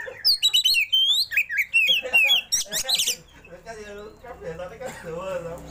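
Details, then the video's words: Oriental magpie-robin singing in the roll and shooting style, tail spread open: a rapid run of bright whistled upslurs and varied chirps in the first three seconds, then quieter lower warbling notes fading out. "KACER ROLL TEMBAK BUKA EKOR"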